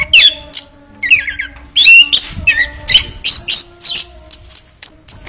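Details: A chestnut-capped thrush, a kept bird, sings a fast, varied run of high whistles, squeaks and chattering notes in quick bursts, over a steady low electrical hum.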